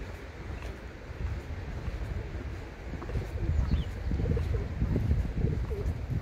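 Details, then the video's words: Feral pigeons in Prule, Ljubljana, on 14 February 2024 give low, soft, throaty coos, rising and falling in short bursts, over a steady low rumble of wind or city noise. "Columba livia domestica MESTNI GOLOB"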